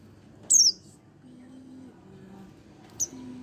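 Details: Young Oriental white-eye, one month old, utters a high descending chirp followed after a pause of about two and a half seconds by a shorter, fainter note over a low steady hum.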